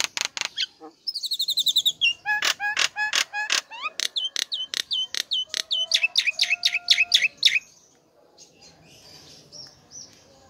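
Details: A chatty Nias Hill Myna gives a loud run of sharp, piercing whistles and clicks, about three a second and varied in pitch, then fades into quieter background chatter.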